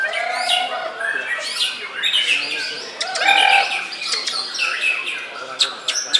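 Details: White-rumped shama singing at a contest in Sidoarjo, where it took second place in the main class on Sunday 21 January: a rich, varied run of whistles, chirps and sweeping notes, with competing birds and faint voices behind.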